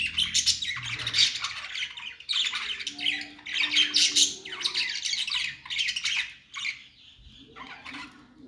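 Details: Budgies singing: loud, steady chattering warble of rapid chirps and harsh notes, easing into softer twitters near the end, with a low hum beneath.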